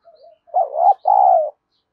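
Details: Decoy spotted dove, used to provoke rivals, cooing. A soft low lead-in note precedes one loud two-part coo, a wavering rising note then a long steady note that slowly falls away.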